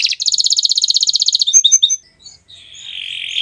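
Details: A canary on a Friday morning sings a rapid rattling trill, then scattered high chirps and a soft, slightly wavering sustained note.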